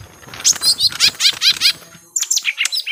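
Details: Young lesser green leafbirds in a prolonged fight: rapid, bright chattering notes with quick frequency sweeps, strung closely together in bursts, then a short pause and another, scratchier flurry.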